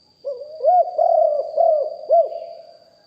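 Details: Live recording of a big-voiced spotted dove kept as a decoy for calling in wild doves. It gives a rapid run of five rolling, arched coos over about two seconds, with a faint constant high tone behind them.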